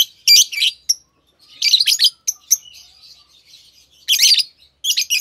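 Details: Green Fischer's lovebirds in a pair chattering in loud, rasping high bursts, with quieter warbling twitters filling the gaps between them.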